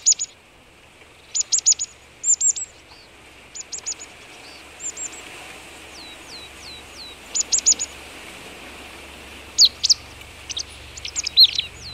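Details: Marsh tit calling at boar remains, Vitebsk region, Belarus, on a −18 °C morning, 22 February 2013; clusters of sharp high chips, a few soft rising slurred notes, then rapid excited chips near the end over steady low rumble.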